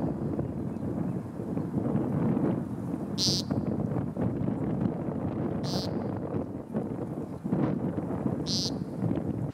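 American Woodcock giving three nasal, buzzy peents, each brief and spaced about two and a half seconds apart, over a steady low rumble of wind.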